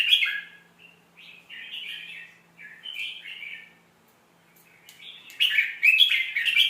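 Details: Red-whiskered bulbul, song played as a lesson for young birds: a string of short, chattery whistled phrases at a lively irregular pace, growing louder and busier toward the end, with a faint low hum.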